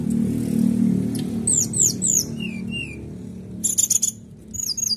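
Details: Canary in "nembak" song used to rile other birds into singing: after a low humming start, quick descending whistled slurs, two lower whistles, then dense rattling trills and rising chirps.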